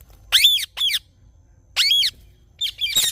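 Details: Rose-ringed parakeet screeching in the morning: strident, slurred squawks, a pair, then a single call, then a rougher burst at the end.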